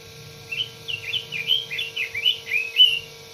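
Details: Single continuous phrase of red-billed leiothrix song, around a dozen clear, quick, whistled notes rising and dipping in a cheerful warble, the last note loudest, over a steady low hum.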